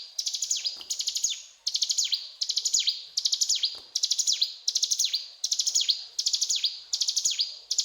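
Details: Sustained gacor cetrakan song of the mountain tailorbird (ciblek gunung): regular bursts of high, buzzy stuttered notes, each ending in a swooping downstroke, repeated roughly every 0.7 seconds.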